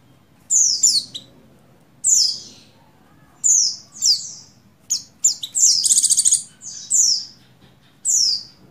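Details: A breeding-condition female buxtoni Oriental white-eye calls a male with high, sharp descending chirps, often doubled, and one brief rapid rattling trill in the middle; the calls come in irregular bursts over a quiet background.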